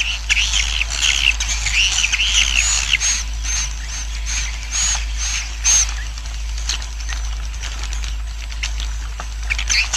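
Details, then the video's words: Swiftlet roosting colony sound for encouraging colony growth: dense high twittering for the first few seconds, then a rapid series of short buzzy bursts, each with a thin high whistled tone, over a steady low hum. "SUARA INAP KOLONI WALET"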